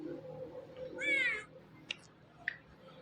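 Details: A pet green Indian ring-necked (rose-ringed) parakeet (Psittacula krameri) talking: one drawn-out, nasal, meow-like talking note, then a couple of soft clicks and a brief high chirp in a quiet room.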